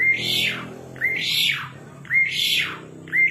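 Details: Asian pied starling calling vigorously: each phrase opens with a short clear whistled note, then a loud harsh, rasping sweep that rises and falls. Phrases repeat roughly once a second, about three and a half in all, over a faint low hum.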